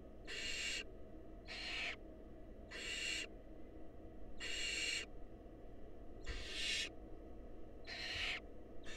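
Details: A wild barn owl family in a nest box: male delivers a mouse, female feeds it to a nestling. Seven harsh hissing bursts repeat at an uneven pace of about one per second.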